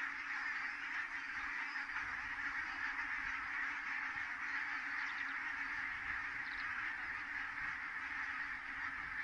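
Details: Big goose flock arriving at Kulgur, Estonia, on 4 May 2018 at 17:58, heard as an unbroken, rolling din of overlapping honks and chatter.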